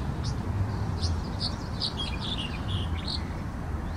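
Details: Black-headed bunting (Emberiza melanocephala) in Aktau giving scattered thin, high chipping notes, several per second, over a steady low rumble of wind or distant traffic.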